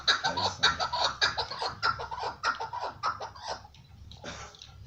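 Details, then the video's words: Rapid, raspy chukar partridge chuckles repeat in quick bursts, loud and insistent, then thin out into a few softer notes near the end. "MUHTEŞEM KEKLİK SESİ"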